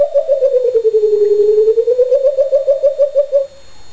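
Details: A coucal begging for cheese, performing with song and dance, gives a deep, bubbling run of rapid hoots that dips lower and then climbs back up over about three and a half seconds.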